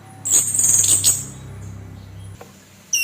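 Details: Orange-headed thrush, a kept bird, in harsh provoking song: one shrill, hissing, rasping burst of under a second over a steady low hum, then quiet until a last short note.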